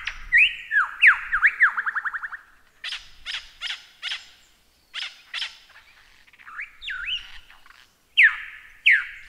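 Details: Lyrebird song mixing looping whistled sweeps, a quickening trill of rising notes, spaced harsh chacking bursts, and closing loud downslurred whistles.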